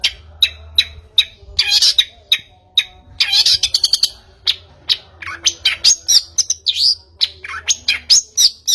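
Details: Long-tailed shrike lure sound meant to prompt another bird into song: sharp clicking chips and harsh scratchy bursts, then a varied run of rising and falling whistled notes and mimic-like phrases, rapidly delivered.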